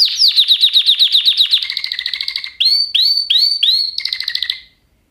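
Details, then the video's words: Canary song with a run of rhythmic swooping notes, a rapid trill, then four separate upward-hooked whistles before a final roll fades out. "Kanarya sesi | Kanarya ötüşü | Canary Sound"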